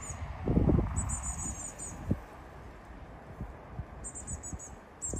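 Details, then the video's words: Eurasian blue tit giving very high, thin, rapid chirps in short bursts of four to six notes, over low knocks and rumbling background noise. "Blue Tit chirping"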